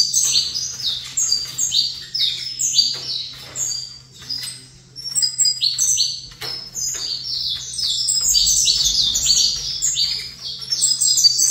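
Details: Extended high-pitched chirping song of a captive saffron finch opposite another bird, phrases of quick sharp notes with brief gaps, growing denser later, accompanied by a soft low hum and faint low rumble.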